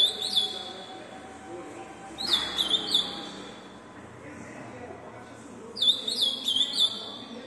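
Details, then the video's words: Ultramarine grosbeak (azulão), a fast-singing tournament bird: short sweet whistled phrases with quick downslurred notes, sung in two bursts separated by a pause of about three seconds, over faint background hiss. "azulão mas rápido que vc vai ver até hj"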